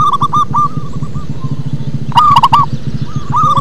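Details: Local zebra dove singing deeply, with a series of soft rolling coos, then a loud burst of four quick notes, and more coos trailing off, all over steady low-pitched rumbling noise.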